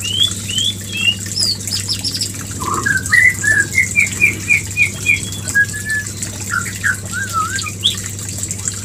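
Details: Mating call of a white-rumped shama, played to bring a female into breeding condition: a run of about a dozen clear, evenly spaced whistled notes repeated rapidly, then varied slurred whistles, with a constant low hum beneath.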